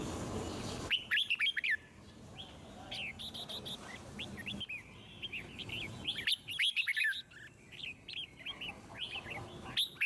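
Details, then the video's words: Red-whiskered bulbul singing, used to prompt other birds into song: lively chirping whistled phrases of rising and falling notes, several rapid bursts separated by brief pauses, with a short noisy rustle at the start. "Chim Chào Mào Hót Hay - Giọng Rừng Cực Đỉnh | Kích Thích Chim Hót Căng"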